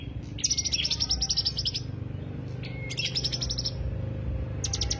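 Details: Greater green leafbird lure sound: three bursts of fast, shrill trilled notes, the first long, then shorter ones, with a brief flat whistle, low hum behind.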